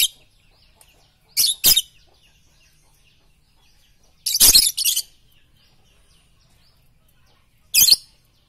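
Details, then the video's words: Lovebird training song meant for morning, noon and night, heard as short bursts of high, harsh chirping in three separate clusters across several seconds, with quiet pauses between them. "masteran Lovebird pagi siang dan malam paling cocok"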